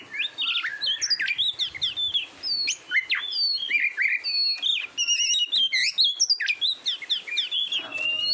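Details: Oriental magpie-robin in a masteran training recording: busy whistled song with sharp downslurred notes, short trills and chattering phrases, varied pitch, ending on a sustained whistle.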